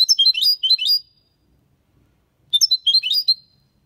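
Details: Goldfinch song in the Málaga copy style, played for stimulating young birds to learn singing: two bursts of high, rapid twittering and tinkling notes with short trills, separated by a pause.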